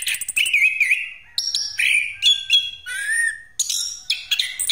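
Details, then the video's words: Orange-headed thrush in rolling 'ngeroll' song, played to attract other birds: wavering mid-pitched whistles, sharp high notes and buzzy chatters alternating in quick, varied phrases. "Anis Kembang Pastol Ngeroll Buat Pancingan"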